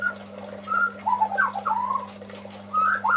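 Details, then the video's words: Calling the female, a male White-rumped shama gives mellow, fairly low whistled notes in short slurred groups, some rising and some falling, with a faint constant hum underneath. "SUARA KICAU BURUNG MURAI BATU JANTAN MEMANGGIL BETINA"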